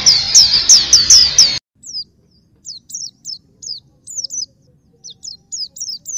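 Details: Black-capped white-eye song: a loud burst of quick high downslurs, then after an abrupt break, cleaner isolated pairs and triplets of thin descending notes against near silence.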